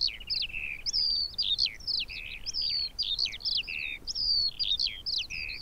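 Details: Eurasian skylark (Alauda arvensis) singing a lively, unbroken stream of high chirps, sharp slurred whistles and short buzzy notes, over light background noise.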